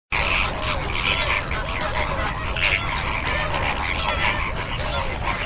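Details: A flock of greater flamingos (Phoenicopterus roseus) gives a constant goose-like gabble of nasal honks and grunts overlapping without pause.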